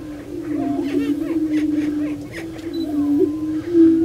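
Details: Prairie chickens at a lek, Bluestem Prairie Preserve, Glyndon, Minnesota: a low humming chorus with wavering pitch, punctuated by short cackling bursts and a few bent whoop notes.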